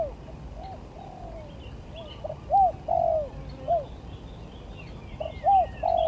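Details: Contest singing by a spotted dove, gagap versus tindan and klantan styles: after a quiet start, clear low coos come in pairs and short runs, bending up then down, with soft twittering from other birds behind.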